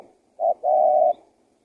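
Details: One spotted dove phrase from a call meant to bring wild doves in: a short soft coo, a tiny pause, then a long even coo held for about half a second. Silence follows.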